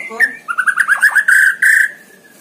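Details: White-rumped shama, kept in a hanging cage and singing energetically, gives a quick run of warbled, bubbling notes at a steady mid pitch, rising slightly into a longer bright note before fading.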